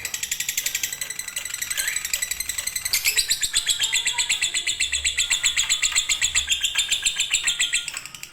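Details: Fighter or konslet lovebird song meant as a master for reluctant singers: a quick, shrill chatter that turns louder and denser after three seconds into a steady trill of about four chirps per second, then fades at the close.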